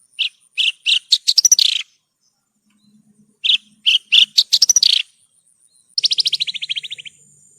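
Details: Branjangan, Horsfield's bush lark, singing in a masteran training recording: short bursts of high chirps accelerating into rapid trills, separated by silences, ending in a fast buzzy descending rattle.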